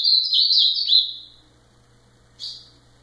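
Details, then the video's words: Ultramarine grosbeak gives a loud, quick warbled phrase of high slurred notes lasting about a second, followed after a pause by one short sharp note. "Azulão fenômenal"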